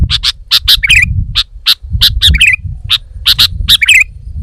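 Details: Sooty-headed bulbul, said to be a lively, vigorous singer, giving a rapid series of sharp, harsh chattering notes mixed with short bright warbled phrases, with low rumbling background noise throughout.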